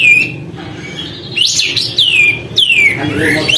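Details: Sooty-headed bulbul in lively song, tail spread, sung to stir up other birds: clear whistled notes that swoop downward, three or four in quick succession over a quiet background.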